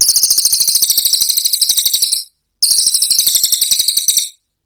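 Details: Brown cililin 'tembakan' song, prized as training material for songbirds: two loud, very high, rapid buzzy trills of even pulses, each about two seconds, separated by a brief silence.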